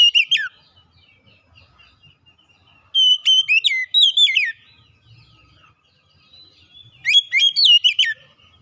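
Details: Oriental magpie-robin song used as a lure for a quiet magpie-robin: three separate bursts of bright, sliding whistled notes with ringing overtones, divided by gaps of soft faint chips.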